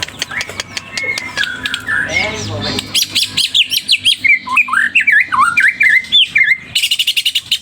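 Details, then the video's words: White-rumped shama singing vigorously in search of a rival: a messy start of mixed notes, then a rapid series of loud, wavering whistled phrases repeated about four times a second, ending in bright high trills. "Murai gacor cari Lawan"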